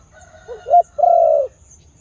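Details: Khmer dove with a big voice delivers one coo. Two quick introductory notes, the second louder and upswept, are followed by a long, smooth, resonant held note.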